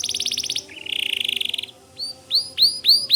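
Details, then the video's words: White canary delivering a fast trill, then a lower buzzy roll, followed by a string of loud upswept whistles repeated roughly every quarter second. "Suara Kicau Kenari Putih Gacor Dor"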